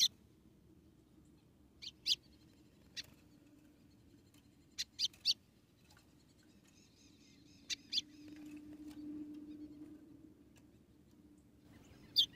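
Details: In Rio Grande do Norte, Brazil, a female white-throated seedeater calls to stimulate the male. Short, high, scattered chips come singly and in pairs across twelve seconds, over a constant low hum.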